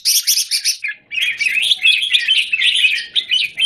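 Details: Caged red-whiskered bulbul in a square cage, January 2019; a quick series of high, ringing chirps, a brief pause, then a fast, unbroken twittering warble.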